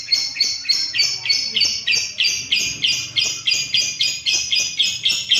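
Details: Lovebird kept for training caged birds to lengthen their ngekek chattering; harsh, buzzy high chirps repeated about three times a second in a steady, continuous stream, with a faint low hum beneath.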